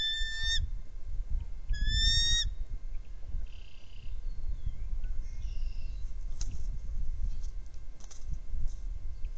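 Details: Nest-cam recording of a trio of bald eagles: two quick bursts of high squealing chatter at the start, then only gusty wind and faint rustling at the nest.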